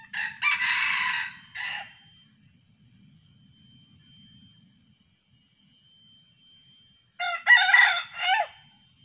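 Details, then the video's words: Red junglefowl crowing, a decoy male used with female calls to lure wild junglefowl: two loud, harsh, broken crows separated by about five seconds of near silence. "Mikat ayam pakek pikat jantan+suara btina"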